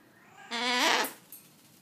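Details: A happy, still-wet pet Triton cockatoo just after a shower gives one half-second quavering, bleating call that wavers and rises at the end, like a clucking hen or a goat, and a faint click follows.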